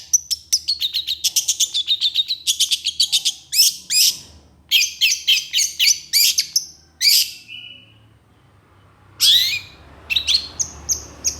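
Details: Long-tailed shrike in full mimicry song: dense bursts of rapid scratchy chirps and buzzy trills, broken by short pauses and a brief silence before harsh rising notes resume.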